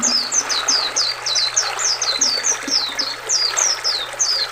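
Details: Caged-bird training recording of oriental white-eye singing beside a river: high, sweet down-slurred notes given about three to four per second over a steady rushing of flowing water.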